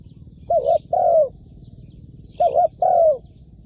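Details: [1, 'yes', 'coo', 'Spotted dove used as a trapping decoy, calling on the ground. It gives two phrases of cooing. Each is a short hooked note followed by a longer, level-then-falling coo. Faint high chirps come from other birds.']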